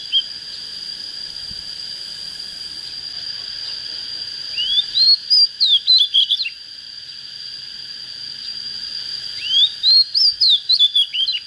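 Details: Untrained oriental magpie-robin just coming into breeding fire delivers two song phrases about five seconds apart, each opening with a rising whistle and breaking into rapid varied chirps and slurs, with a steady high whine behind.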